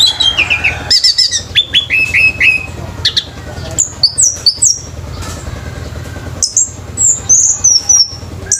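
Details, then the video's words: Orange-headed thrush singing at a bird singing competition: descending whistled notes, sharp chattering phrases and clear high slurred whistles, steady low hum of background noise throughout. "ANIS MERAH PUNCAK SENI BIRD COMPETITION"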